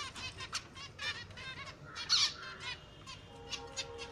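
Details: A group of finches calls in rapid, high, nasal chirps and trills, with a louder squeaky burst midway and a faint steady tone toward the end.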